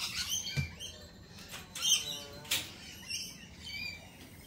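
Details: Several lorikeets chattering at a lorikeet cafe, giving sharp high screeches and squeaky chirps in quick irregular bursts, with one louder rasping note midway, over steady low background noise.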